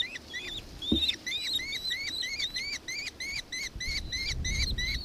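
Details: Nankeen kestrel, Victoria, Australia, 4 December 2024, calling in a quick run of high arched notes about three per second, with a brief knock near the first second and low rumble later.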